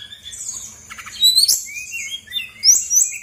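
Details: Female Brown-chested Jungle Flycatcher, Bali, in lure song for lazy singers: long thin high whistle, then sweeping upward slurs and quick twittering notes.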